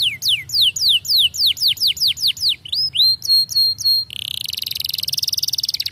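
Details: Canary singing loud and fast: a run of sharp, downward-sweeping whistles about four per second, then quicker clipped notes, ending in a rapid buzzy trill.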